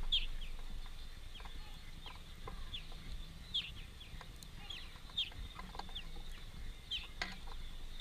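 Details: Greenfinches, a family feeding together at a place of work, give sharp, high chirps every second or so, with softer twitters between them, over a quiet background hum.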